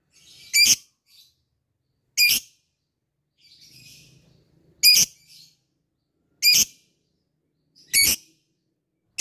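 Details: A labet, kept as a fighter bird, calls an opponent with loud, high, clicking ngetik notes. They are given singly and repeated about every one and a half to two seconds, with faint soft twitters between.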